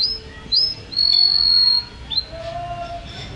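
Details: Vigorous canary singing: short upswept chirps, then a loud, sustained, pure high whistle lasting nearly a second, followed by quick rising notes and softer lower tones.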